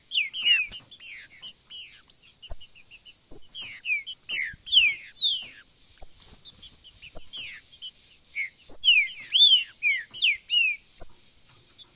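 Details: Green-winged saltator giving a macheado-style song: a busy stream of clear, slurred whistled notes, mostly rising and falling, tumbling out irregularly at about two per second with no other sounds.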